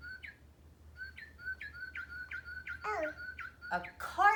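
A cardinal sings a quick run of clear, slurred whistles, about three a second, while children's voices break in near the end.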